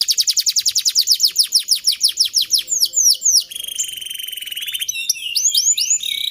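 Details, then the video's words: Canary song used as a master recording to train young canaries to sing readily and roll long: fast series of high, down-sweeping whistled notes, then a sustained buzzy roll and varied chirping phrases. "Masteran Burung Kenari Paud Agar Cepat Gacor Dan Ngeroll Panjang"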